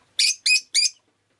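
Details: Three loud, harsh, shrill chirps from a pet rosy-faced lovebird on a rainy day, evenly spaced and each slightly drawn out.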